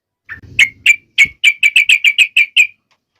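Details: Trucuk bird singing to make other trucuk birds sing: a run of about eleven short, bubbling, mid-pitched notes in steady succession, with a faint low rustle at the start.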